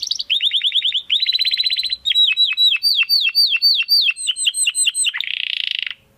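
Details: Continuous canary song meant for training contest birds: quick trills of identical notes, then a run of sharply falling whistled sweeps repeated about four per second, ending in a harsh buzzing roll.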